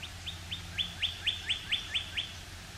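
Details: Male Northern cardinal singing high in a pine tree first thing in the morning, a sign of spring: a fast series of about nine clear whistled notes, each slurring sharply downward, repeated roughly four times a second over faint low rumble.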